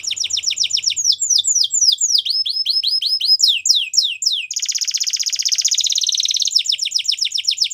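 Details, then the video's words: A Belgian canary sings fast runs of high, sweeping downslurred notes, about four a second, broken by a dense buzzy trill before the quick notes return. "Canary Bird Song | Belgian Canary Singing"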